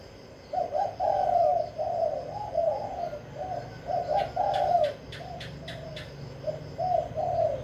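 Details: Spotted dove from Vĩnh Long, Vietnam, kept to stir decoy birds into calling quickly; deep, hoarse cooing phrases of several notes given in close runs, with a few sharp clicking sounds in the middle.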